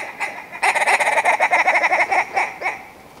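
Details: Willow ptarmigan song: after a quiet start, a rapid run of about sixteen harsh, nasal, clucking notes that gradually slow and fade toward the end.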